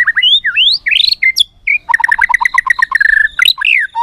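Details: White-rumped shama song used as filler material to coax other shamas into singing: loud, rapid run of varied whistled notes, rising slurs and sharp upsweeps, then a steady series of paired chirps repeated several times a second.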